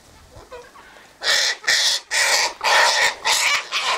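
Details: Sulphur-crested cockatoos feeding on put-out seed by the eastern gate; after a quiet start, five loud raucous screeches follow in quick succession, each about a third of a second long.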